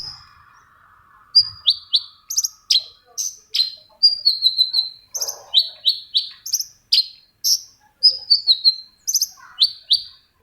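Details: Long-tailed shrike song used to stimulate silent shrikes to sing: a rapid string of high, sharp, downslurred whistled notes, some buzzy and some clear, roughly two or three per second, with brief soft rustling underneath.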